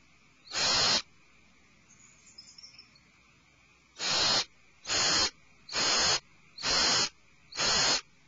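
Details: Owlets in their nest cavity screech in alarm: one breathy hissing burst, a pause with soft faint twittering, then five more screeches in quick succession, roughly one per second.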